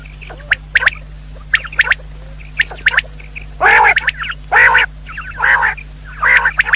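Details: Common quail sounds used for hunting: crisp high triple-note phrases at first, then loud, buzzy, harmonic calls roughly every second, with a low droning hum throughout.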